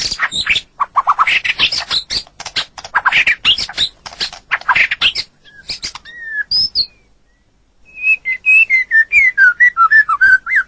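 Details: Masteran recording of white-rumped shama song for training songbirds: a fast rattling stream of clicky, buzzy notes, a brief silence, then a string of clear, slurred whistles repeated rapidly.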